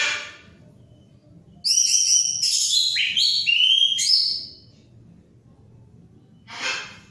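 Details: Orange-headed thrush in full song: a loud burst of clear high whistles and rising slurred phrases lasting nearly three seconds, followed by near quiet and a brief rustling noise.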